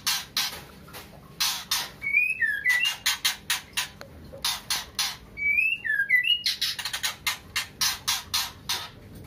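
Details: White-rumped shama female in heat calling for a male, giving steady runs of harsh rasping bursts with two brief phrases of slurred, dipping whistles between them.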